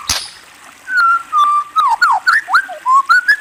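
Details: White-rumped shama whistling a series of pure, fluty notes, some held steady and others swooping up or down, in a quick, evenly paced phrase after a single sharp click.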